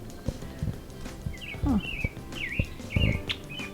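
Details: A baby blackbird at Rocky Mountain Arsenal National Wildlife Refuge, Denver, Colorado, in 2024 begs to be fed. It gives a run of short, high whistled chirps, some dipping and rising, about two per second, over music and low thumps.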